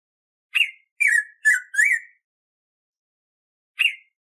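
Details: Black-throated grosbeak (Saltator fuliginosus), song.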